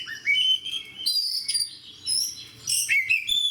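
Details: Caged oriental magpie-robin in fighter mode delivering a loud, varied song: a rising whistle opening, then bright slurred notes, buzzy fragments and sharp chips, in bursts separated by short gaps.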